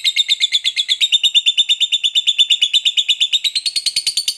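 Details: Long ngekek chatter from a fighter lovebird, used to stir other lovebirds to reply: a fast, even string of shrill, scratchy notes, roughly three per second, rising slightly in pitch near the close.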